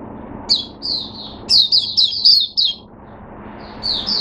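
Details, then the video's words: Oriental white-eye kept in a cage, singing quick high-pitched chirps and twitters in broken phrases, some notes sharper and rising, with short pauses between bursts. "Mata Puteh Hercules V1 buka sing"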